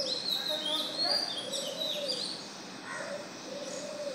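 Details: Oriental magpie-robin singing at dawn, 05:02 am on 12 June: bright, varied whistled phrases sliding up and down for about two seconds, then quieter, while doves coo low and steadily in the background.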